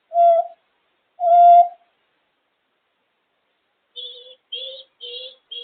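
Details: A pet African grey parrot making noises: two loud, steady, mid-pitched whistles with buzzy overtones, a pause, then four short, quieter double-toned notes in quick succession.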